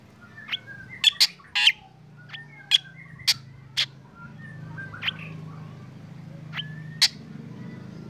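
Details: Black drongo in morning sunning, its singing drawing in other birds: a run of sharp clicking and harsh notes, louder early on, over a steady low rumble and scattered soft chirps.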